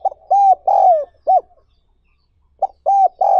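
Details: Spotted dove used to train wild-caught doves: a phrase of arched, hollow coos ending in a short hoot, a pause of over a second, then the phrase beginning again.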